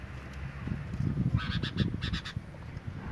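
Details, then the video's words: Sooty-headed bulbul, male and female in breeding condition, giving harsh nyrecet chattering: a cluster of rasping broadband bursts in mid-clip, over steady low rumbling background noise. "burung kutilang jantan betina birahi kawin suara nyrecet"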